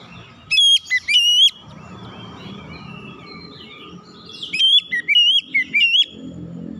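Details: Oriental magpie-robin singing loudly, meant as therapy to get untrained birds singing: two bursts of loud, clear whistled phrases, each a few sharp notes sliding between high and higher pitch, separated by a quiet gap with low background rumble.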